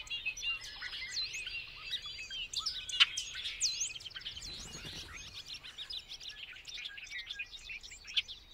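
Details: Bobolink in full song: a fast, jangling outpouring of metallic chirps and slurred whistles, with a brief low rumble midway and continued bubbling notes to the end.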